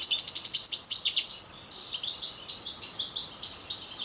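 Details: European goldfinch of the parva subspecies singing: a loud burst of rapid, sharp high twitters for just over a second, then softer, tinkling buzzy phrases continuing quietly to the end.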